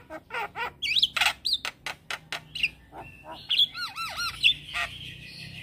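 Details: Gacor song of a Black-winged starling bobbing its head: rapid dry ticking, loud harsh squawks, then a steady high whistle and a series of swooping, deeply wavering whistles.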